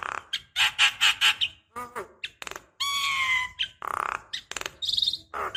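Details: Javan myna used as a lure to set other mynas calling: a noisy jumble of harsh grating bursts, a long nasal whining note with strong overtones, and scattered squeaks and clicks.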